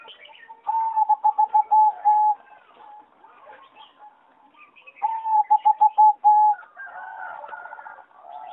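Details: Two bursts of fast, evenly pitched rolling coos from a singing zebra dove bred for competition, each ending in a held note, recorded in an aviary on 26 April 2014; other birds chatter and whistle faintly between phrases.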